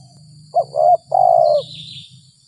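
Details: 'Gagap 6 mata' coo of a spotted dove lured after rain in early April: one phrase of two short stammering notes followed by a long, even, low coo, with a thin, high, steady drone in the background.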